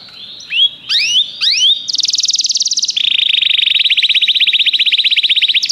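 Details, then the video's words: Canary song played to get a canary singing: a few upward-swept whistles, then a rapid high buzzy roll that drops to a lower, even trill held for several seconds. "O som de um canário é eficaz para o seu canário cantar"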